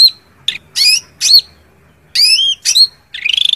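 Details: Cak ranting calling a rival with scattered loud, high squeaky chirps and rising whistled notes at irregular spacing, closing on a quick buzzy trill.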